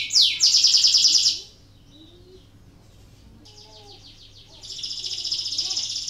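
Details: Canary song used as a prompt for reluctant canaries: a loud, high, rapid trill for about a second, a quiet gap with faint low chirps, then a softer trill building into a louder rolling phrase.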